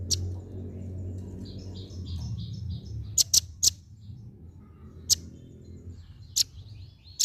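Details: Female velvet-fronted nuthatch calling: sharp, very high, clipped chips given singly at irregular intervals, about six in all, with a faint softer twittering early on over a steady low rumble of background noise.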